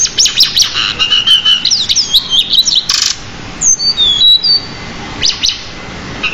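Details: Pied bushchat in continuous training song packed with many imitated notes. Quick chattering bursts lead into clear whistled sweeps that slide downward. There are short pauses between phrases and a sharp noisy burst near the middle.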